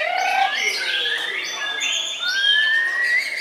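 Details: White-rumped shama competing in the main class of a bird-singing contest at Gantangan Puspa Agro, Jemundo, Sidoarjo, on a Sunday, placing second; rich whistled phrases sliding up and down, tangled with other caged birds singing nearby.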